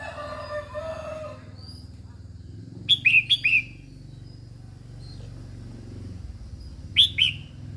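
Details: Female red-whiskered bulbul singing to stimulate males: after some low background noise comes a crisp triple phrase of loud, falling whistles, then a single similar note several seconds later.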